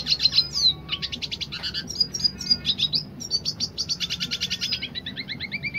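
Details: Dilute red siskin singing in the rapid 'roll tembak' style: fast buzzy twittering trills and sharp high chirps tumbling in quick bursts, then steady repeated rattling notes, with a faint low background hum.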